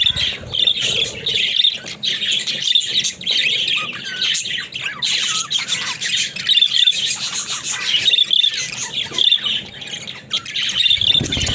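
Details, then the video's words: Talking budgerigars, pet birds, produce continuous high chirping warbles with short whistled notes and squeaky squawks, occasional soft clicks between phrases. "Funny Talking Budgies"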